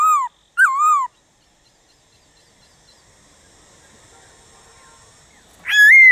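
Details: Black-throated laughingthrush whistles meant to rouse other birds into song: two falling whistled notes, a long near-silent pause with faint background hum, then one loud rising whistle.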